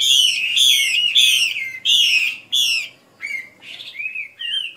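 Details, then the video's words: Female Chinese hwamei from Vietnam's Northwest region opening with strong, rich, buzzy-edged notes repeated about twice a second, then shifting to softer, thinner whistled slurs after a short pause. "Hoạ Mi mái "Hay" nhất bản mường Tây Bắc"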